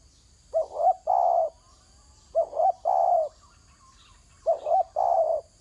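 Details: A spotted dove calls on the ground with three rhythmic phrases about two seconds apart. Each is a quick two-beat coo leading into a long, smooth, low hoot, heard against a still background.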